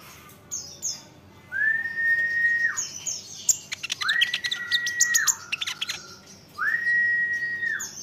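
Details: Olive-backed sunbird song, used to provoke other sunbirds to answer: drawn-out, even, whistled notes, each ending in a downward slur, given three times, with sharp high ticks and twitters between them.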